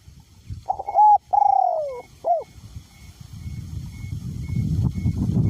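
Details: Caged spotted dove kept as a decoy bird, its voice described as going from small to middle pitch, cooing in strong wind: a clear stepped phrase of short notes and a long falling hoot, with low wind rumble growing afterward.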